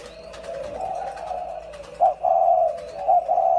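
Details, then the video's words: Two spotted doves giving low, soft, mellow coos: a long hooting phrase, then several short rounded notes in quick succession, against quiet background hiss. "2 em cu khiển"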